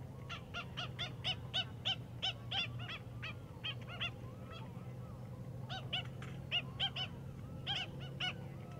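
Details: An Australian pied oystercatcher foraging among stranded seagrass wrack in the shallows of Peel Inlet, south of Perth, Western Australia, gives shrill piping notes in quick bursts, about three a second, pausing between runs, over a steady low rumble.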